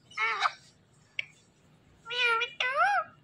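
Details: Indian ringneck parrot talking: short harmonic speech-like phrases, a burst near the start and two longer wavering, nasal syllables near the end, with a sharp click between; indoor room quiet.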